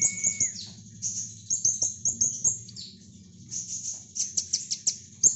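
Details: Kolibri ninja (Brown-throated sunbird) singing nembak, a rapid shooting-style song used to train lovebirds. Dense bursts of very high, thin chirps and quick notes, briefly over a steady whistled tone, with faint low hum beneath.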